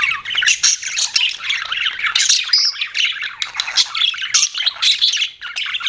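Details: Pet budgerigars chirping: a dense, continuous stream of buzzy, scratchy warbles and squawks mixed with quick high chirps, several birds overlapping with hardly a pause.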